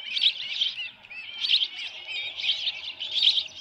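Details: Osprey at the Dunrovin Ranch nest on an evening in June 2018 with a headless fish: rhythmic rounds of high, trilled chirps, roughly one burst each second, over a soft background hiss.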